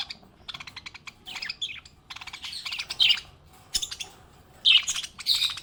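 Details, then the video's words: Happy pet budgie chirping: rapid clicky ticks mixed with scratchy warbled phrases and sharp high squeaks, delivered in quick uneven bursts with brief gaps. "Happy budgie chirping sound"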